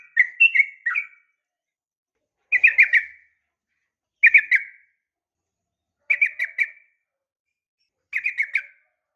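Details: Female sooty-headed bulbul giving 'uplik tarung' calls to draw male replies: short clusters of three or four quick chirps, repeated about every two seconds with silent gaps between.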